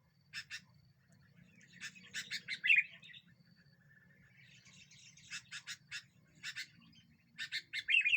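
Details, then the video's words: Sooty-headed bulbul singing vigorously as a lure that agitates other birds: groups of sharp clipped double and triple chirps separated by short pauses, with a liquid warbled flourish at times, over a steady low rumble. "Burung kutilang ini membuat burung lain emosi"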